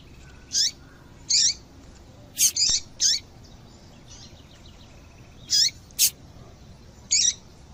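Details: Female double-collared seedeater call used to make a male sing: high, short chirps falling in pitch, singly and in close pairs at irregular spacing, with quiet background between.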